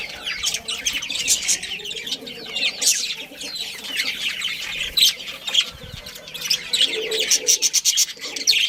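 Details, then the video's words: A colony of budgerigars with a breeding pair, chattering continuously in dense, overlapping scratchy chirps and rapid ticking notes that build to quick runs near the end. "Cute Budgies Chirping Sounds"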